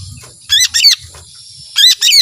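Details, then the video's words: Lesser green leafbird giving short, high, buzzy chirp pairs in long-shot style, two quick notes, a pause of nearly a second, then two more, over a quiet low background hum. "ijo mini gacor suara tembakan panjang full emosi"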